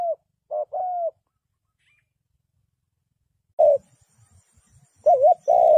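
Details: Spotted dove used as a trapping decoy to lure wild doves, giving short mellow cooing notes in two bursts, including a wavering coo-roo-coo phrase, separated by a few seconds of near silence with faint rustling.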